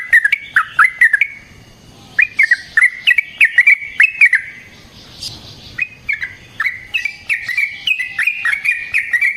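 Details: Yellow-vented bulbul singing a long fighting song used as a lure: quick runs of sharp chips flow into a steady stream of warbled, whistled notes that continues to the end.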